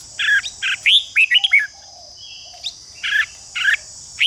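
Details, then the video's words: Red-whiskered bulbul singing in a recording meant to provoke other bulbuls into competition singing, Vietnam: a run of quick chirped and warbled whistles, a pause, then single bright notes, with a constant shrill insect-like drone behind. "Chào mào ché kích thích chào mào đấu giàn căng lửa"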